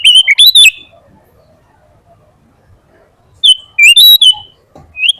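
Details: Sooty-headed bulbul (kutilang) in full isian gacor song: a brief rising-and-falling whistled phrase, a long quiet gap, then another slurred whistled phrase, and the start of a third at the end.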